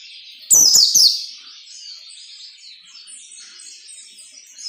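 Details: White-eye song in the ngalas nembak style, used to train captive white-eyes to sing this way quickly: one loud, shrill, high twittering burst of sharp down-slurred notes lasting about a second, followed by a faint continuous high chatter.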